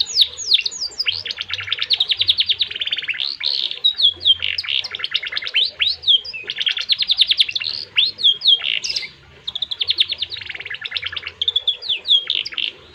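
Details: Domestic canary singing a long, lively song in an ornate style: fast repeated trills alternating with sweeping whistles and sharp chirps, nearly continuous with brief pauses, over a faint low background hum.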